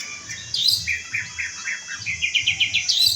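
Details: Orange-headed thrush song: a high slurred phrase, then a quick run of about eight similar short whistled notes repeated several times a second, with a faint low pulsing hum underneath.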